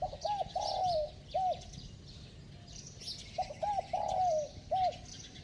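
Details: Spotted dove with a bell-like voice, cooing fast to stir up decoy birds: two phrases, each of two short coos, a long rolling coo that slides downward, and a final short coo. Small birds chirp high in the background.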